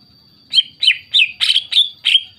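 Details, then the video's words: A singing greater green leafbird, played to provoke others of its kind: six loud slurred notes evenly spaced about a third of a second apart, the middle ones harsher and noisier. "PANCINGAN CUCAK IJO GACOR, CUCAK IJO LAIN MESTI NYAUT DAN IKUTAN GACOR"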